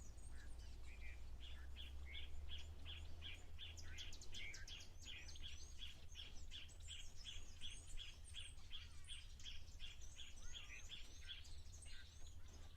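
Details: At an African waterhole on 4 August 2024, a Yellow-breasted Apalis gives a long, steady, DJ-like run of sharp, mid-pitched notes, about three a second, over thin high twittering from an unidentified sunbird and a constant low rumble.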